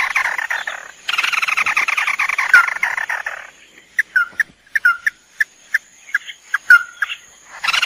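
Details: Lure recording of a male and female red-eyed crake: a loud, harsh rapid rattling series for the first three and a half seconds, followed by separate sharp downslurred notes spaced irregularly.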